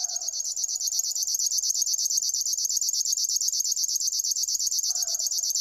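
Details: Continuous high, rhythmic buzzing song of a River warbler, a steady train of fast ticking pulses like a cricket, with soft lower chirps from another bird at the start and end.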